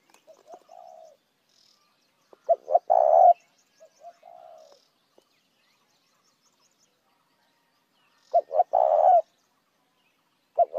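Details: Call of a spotted dove, used to lure others of its kind. Two clipped notes and a long rolling coo are heard twice, with soft low murmured coos and a long silence between them.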